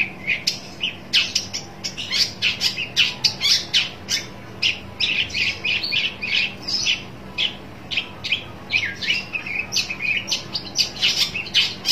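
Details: Shrike seeking a rival, delivering a long, fast, continuous run of harsh rasps, chirps and sharp squeaky notes with little pause.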